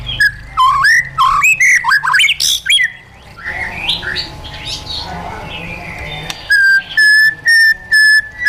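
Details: White-rumped shama, a caged bird, performing wild-style training song: looping slurred whistles, then a softer warbled passage, ending in a series of steady clear notes repeated about twice per second.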